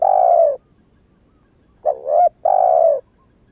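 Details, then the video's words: Spotted dove, a young bird that has only just begun calling and has not yet moulted its wild plumage, used to lure wild doves: a long, level, husky coo, then a short dipping two-part coo and another long coo. "Tiếng chim cu gáy mới nổi kích mồi hiệu quả"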